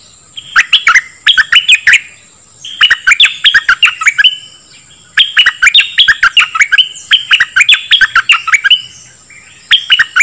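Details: Dok taeng bird song, played to train young birds and excite them: bright, quick chirped phrases of sliding notes, bursts of several notes with short pauses between, a steady high whine running throughout.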